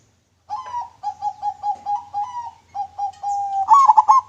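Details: Local zebra dove, used as a lure bird, giving a long run of low, even cooing notes that repeat steadily. It ends in a louder, brighter burst of quick clipped hoots. A faint low hum runs underneath.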